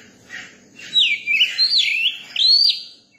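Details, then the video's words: Young Oriental magpie-robin in song, delivering a soft scratchy note and then a loud flowing series of clear whistles that swoop up and down, ending with a high upslurred phrase. "tiếng chim chòe than bổi hót"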